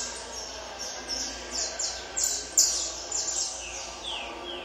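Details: Peruvian saffron finch in tournament training, singing a run of bright high-pitched downward-sliding notes. The notes come in quick irregular succession, a few louder than the rest.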